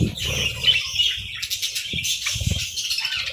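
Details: Morning budgerigars keep up a high, squeaky chatter of chirps, with a few soft thumps and flutters of wings in between.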